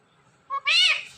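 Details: Speaking ring-necked parrot repeats one word: a crisp high first syllable, a short pause, then a longer, loud, buzzy and strongly harmonic second syllable.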